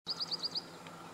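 Red-crested Korhaan giving five quick, high, thin notes, each slightly arched, about a tenth of a second apart, then one faint note; soft background hiss.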